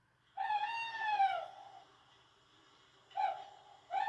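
A Tawny Owl gives a drawn-out, hollow hoot lasting about a second, gently rising then falling. Two shorter hoots follow near the end over a faint background hum.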